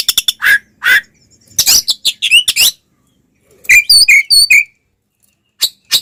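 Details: Oriental magpie-robin fighting song, used to provoke rival magpie-robins into emotion; bursts of harsh broadband notes and slurred whistles, then a run of high buzzy rising phrases after a pause.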